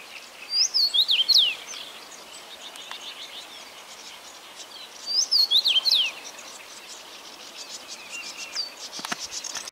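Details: Common rosefinch song: a brief phrase of clear, slurred whistles sliding up and down, heard twice about four and a half seconds apart. Faint high twittering and buzzing from other small birds or insects fills the background.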